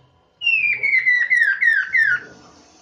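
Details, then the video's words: Chinese hwamei master song used for training birds: a loud clear whistled phrase of six slurred notes, each dropping slightly in pitch, the series descending overall, delivered in about two seconds in a quiet indoor setting. "MASTERAN BURUNG POKSAY MANDARIN"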